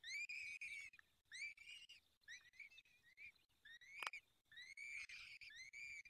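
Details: Peregrine falcon nest, fifth feeding, Barycz Valley, Poland, 23 April 2020 at 19:28: rapid run of harsh, overtone-rich whistled wails, one after another with brief gaps, and a loud sharp knock midway.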